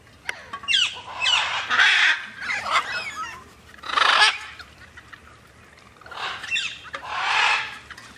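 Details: Macaws flying freely give repeated loud, scratchy squawks, several in close succession, then a pause before two more drawn-out harsh calls.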